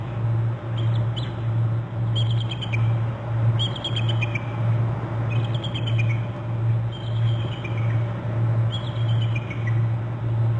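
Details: Bald eagle at a nest territory on Hornby Island, calling from the upper left, giving six series of high thin chittering notes that fall in pitch, about every two seconds, over a steady low mechanical hum.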